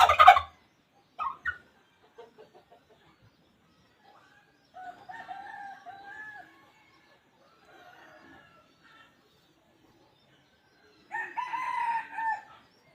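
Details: Wild junglefowl crowing, a call said to draw in other birds very well: scattered short clucks and noises, a drawn-out harmonic crow mid-clip, then another loud, strained crow near the end.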